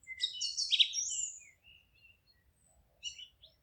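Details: Singing birds in a forest give a loud, tangled flurry of high twittering and sharp whistles for about a second and a half, then sparse faint chips and a brief closing twitter.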